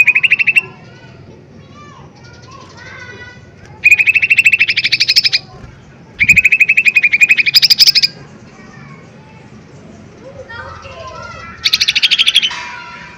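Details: Lesser green leafbird singing forcefully: several long, rapid trills of bright repeated notes, each about two seconds, separated by pauses with soft chirps and twittering in the background.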